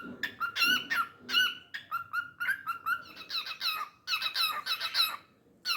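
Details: Pet cockatiel singing indoors in a small room: rapid series of chirpy, squeaky whistled notes with rich harmonics, some rising and falling, in bursts separated by brief pauses, ending abruptly.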